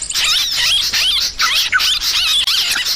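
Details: Sooty-headed bulbul noisy calls used as a bird lure: dense, overlapping squeaky chatter of rapid rising and falling notes, nearly continuous with brief gaps, high-pitched and busy throughout.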